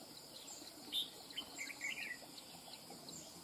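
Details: Red-whiskered bulbul, a wild-caught bird, delivering a short burst of bright whistled and warbled notes around mid-pitch, with a sharp clear note near the start, against a constant high hiss.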